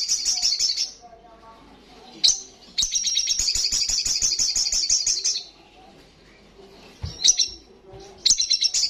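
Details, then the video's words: Energetic 'ngalas' song of an Olive-backed Sunbird, loud and fast: long bursts of high, thin, rapidly repeated chipping notes running two to three seconds, with brief sharp calls between and soft low background murmur. "Sogon gacor Ngalas kencang"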